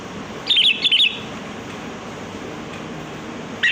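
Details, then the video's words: Wild sooty-headed bulbul giving a lure song: two quick twittering phrases back to back, a silent gap of over two seconds, then a final phrase starting. "Suara pikat burung kutilang || Kutilang Gacor"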